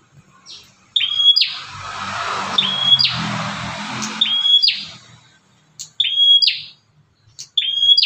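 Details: Fierce bar-winged prinia giving calls used to lure other prinias: repeated sharp whistle-then-buzz phrases, partly masked midway by a loud rushing broadband noise before the calls ring out clearly again.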